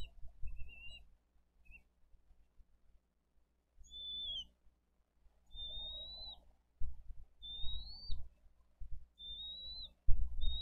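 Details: Bald eagle nest in Dade County on 22 April 2023, parents feeding fish to eaglets; single upslurred high whistles spaced about every one to two seconds, separated by bursts of low thumping and rustling.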